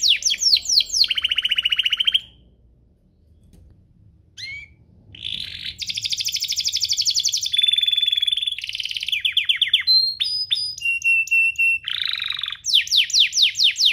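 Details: Tutor song of a domestic canary for training young canaries, varied trills and buzzes with a brief silent gap, steady whistled tones and rapid sweeping note series.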